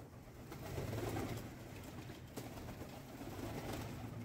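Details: Pigeons at breakfast feeding time give low, throaty coos early on, then a few quieter murmurs against steady background hum and light clicks.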